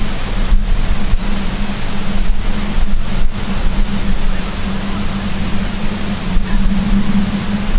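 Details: Heavy steady background noise with a low hum and occasional soft knocks, without any animal calls.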